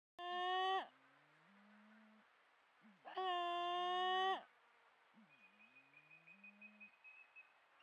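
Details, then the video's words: Malleefowl at Patchewollock Conservation Reserve: the female calls first, then the male with body contortions; loud, harsh, nasal calls about three seconds apart, each trailed by low mellow hooting tones, then a thin high whistle. "Both male and female Malleefowl calls"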